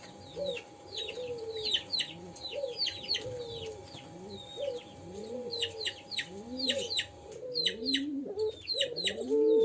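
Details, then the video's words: Young pelung dove practising its call, a crying call: soft, low, curved coos arching up and down at an uneven pace, with busy high twittering of small birds throughout. "suara tangisan puter pelung muda yang belajar bunyi"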